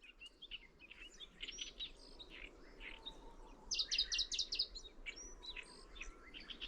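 Middendorff's grasshopper warbler sings a fast, chattering run of high, scratchy notes that swells to a louder burst, over a low background hum.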